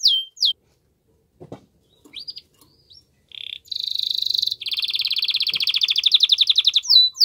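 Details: Canary singing loudly to encourage a female to adopt mating posture; scattered short whistles and a soft clack, then a brief low buzz and a long rapid rolling trill with high overtones.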